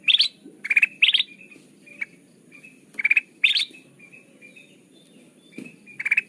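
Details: Sooty-headed bulbul lure call for trapping birds: clipped bursts of quick chirps, some rising slightly, separated by pauses of up to two seconds, with faint single chirps between bursts and a low steady hum.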